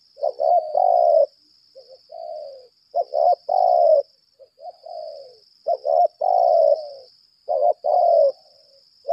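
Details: Decoy spotted dove ('lambung kuk' type) in extended laga contest calling: deep rolling coos with stuttering lead-in notes, several phrases with brief soft notes between. A continuous high-pitched whine persists.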